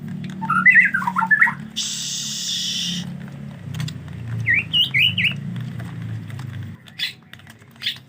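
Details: White-rumped shama during the rainy season, hard to get bathed: a fast tumbling whistled phrase, a loud one-second hissing burst, a brief warbled reply, then scattered clicks over low rumbling background noise.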